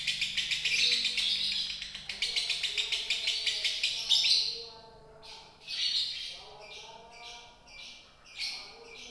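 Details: Lovebird in Indonesia chattering rapidly in konslet fashion, shrill pulsed notes for about four seconds, then a series of separate short harsh high bursts with brief gaps.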